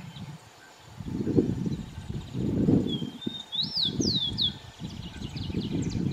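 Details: Rufous-collared sparrow (tico-tico) singing among urban birds at Lídice. A level whistle leads into a few quick, slurred rising-and-falling high whistles over about a second. Loud, low rumbling background noise surges throughout.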